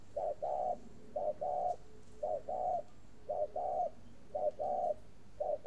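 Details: A caged spotted dove in northern Vietnam cooing in an extended series, six short-long coo pairs at an even pace of roughly one per second, quiet background.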